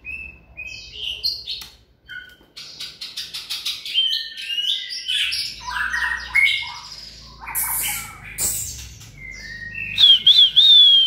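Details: Shama built up for sustained 'lửa bó lông' singing and enduring contests: loud, varied song of sharp clicks, rattling bursts, pure whistles and wavering trills, growing more intense toward the end.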